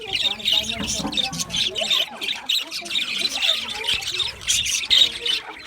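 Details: Chirping budgerigars in an aviary, a steady stream of grating high chirps and squawky notes rising and falling in loose pulses from a crowd of birds.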